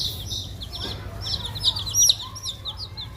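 Several chickens' chicks peep in a steady, overlapping stream of short, high notes, some dipping downward. A low hum runs underneath.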